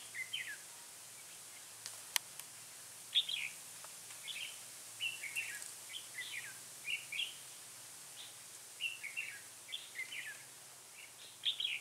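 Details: Red-whiskered bulbul, a first-brood bird with a dark bib, recorded while being trapped with a decoy bird on 3 October 2018; short bright chirpy phrases, slurred up and down, repeated in bursts throughout, with a few sharp clicks early on.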